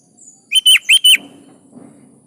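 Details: Sooty-headed bulbul singing gacor style to encourage caged birds: a short burst of four loud, liquid, slurred whistles, then a soft low rumble in the background.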